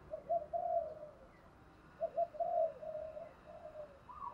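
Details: Caged decoy spotted dove with a voice in the local 'thổ đồng' style, calling to lure wild doves: two mellow, low cooing phrases of short notes then a drawn-out coo, separated by a pause, with a faint higher note at the end.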